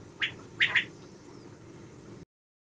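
A common quail gives its sharp three-note call: one clipped note, a short pause, then two quick ones, over a low background rumble.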